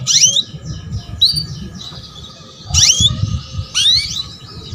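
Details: Female canary calls meant to coax a young male canary into singing: loud quick downward-sweeping chirps in small bursts, with softer twitters between, and a low rumble underneath.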